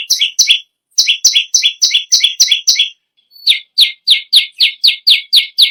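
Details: Bar-winged prinia, known locally as perenjak lumut or perenjak bawah, singing vigorously; rapid series of sharp two-part chirps, a high note dropping to a lower one, repeated about four times a second in bursts with short pauses between.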